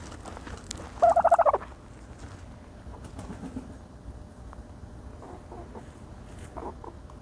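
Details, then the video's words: One short, fast gobble near the start from a turkey bathing in dirt, then faint scuffing and soft sounds. "the special noises of a turkey bathing in dirt"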